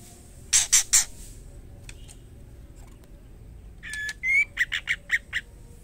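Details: Female white-rumped shama calling the male, with three loud broadband bursts early on, then a clear whistled note, a rising whistle and a rapid series of short chirps repeated about twice a second.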